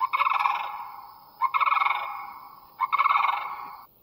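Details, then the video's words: On an evening bird count on the western slopes of Sodom Mountain in Granville, amid farmland, a very loud sandhill crane gives rolling, trumpeting rattles, three bursts about every 1.4 seconds, each a rapid pulsed croak fading out. "There's a sandhill crane, and they're really, really, really loud."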